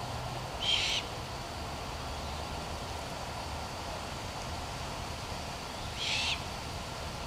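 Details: A Great Horned Owl in Colorado, calling to a sibling in another tree, gives two harsh, hissing screeches about five seconds apart over a steady low background hum.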